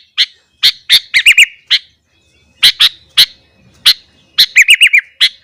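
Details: Sooty-headed bulbul in morning song intended to provoke other bulbuls: scattered sharp chirps interspersed with quick bubbling warbled phrases, with short pauses between bursts.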